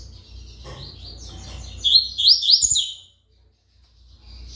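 A seedeater gives a quick burst of high, sweet, slurred notes lasting about a second, over a faint low hum.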